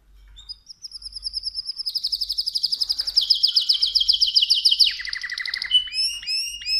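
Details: Mosaic canary singing: a thin high whistle, then a long run of fast rhythmic pulsed notes, a lower rolling trill, and a closing series of bright upswept whistles.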